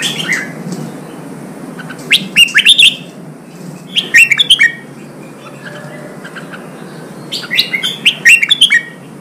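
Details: Red-whiskered bulbul singing, played to provoke wild-caught bulbuls into fighting and singing out: three separate bursts of bright, chirping, warbled phrases split by quiet gaps, with a low background hum.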